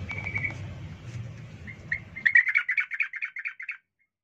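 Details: A yellow-vented bulbul gives fighting chatter, a wild bird against a rival, calls said to provoke other bulbuls: a quick run of about a dozen bright, bubbly notes after a low rumbling background.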